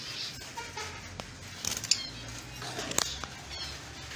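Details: Lovebird chirping: scattered sharp, high chirps and short squeaky bursts, with a couple of louder clustered notes near the middle and end, and soft fluttering wing sounds in between.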